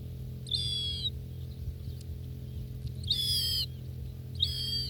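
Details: Gulls at dinner in Northern Kazakhstan, filmed close up, utter short, high, level mewing calls of about half a second, spaced irregularly, with a constant low hum beneath.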